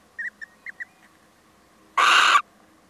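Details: Male little owl visiting: four short, clipped high notes in quick succession, then a pause and one loud, harsh, rasping screech lasting under half a second.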